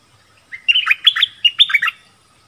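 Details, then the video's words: A caged Nok dok taeng (Thai songbird) sings in a song duel with a wild bird that came twice: a quick, rich burst of about six bright, slurred whistled phrases in under one and a half seconds. "เสียงนกดอกแตงEp.24 ดวลเพลงเบิ้ลกับนกป่า"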